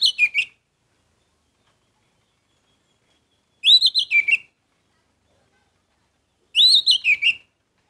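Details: Orange-headed thrush in repeated gacor song, meant to stir emotion: three near-identical short phrases of rolling, descending whistled notes, about three seconds apart, with silence between them.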